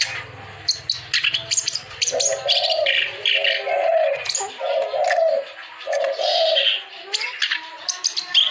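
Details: Clamorous reed warbler in active song, played for birds that are lazy to sing: harsh, scratchy high bursts alternating with repeated lower, drawn-out droning notes, a soft low hum early on.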